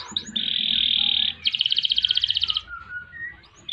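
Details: Canary delivering a long ngerek, ngerol and nembak song: a loud sustained buzzy note, then a rapid pulsed roll, trailing into softer whistled notes over a low background hum.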